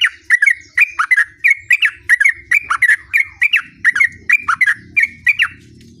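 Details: Sooty-headed bulbul in full gacor ngerol song, a steady stream of short, sharp whistled phrases, two or three notes each, repeated about three times a second with barely a pause, and a soft low rumble beneath.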